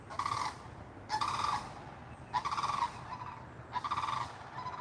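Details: Sandhill Crane in Florida, right in front of the recorder, giving four very loud, horn-like rolling trumpeting calls, each a rattly half-second burst spaced over a second apart, over a steady low background hum.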